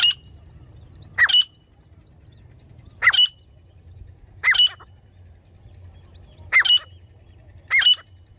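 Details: Female grey francolin call for luring birds in hunting: crisp two-part notes, each with a quick rising start, spaced about one and a half seconds apart over a soft low rumble.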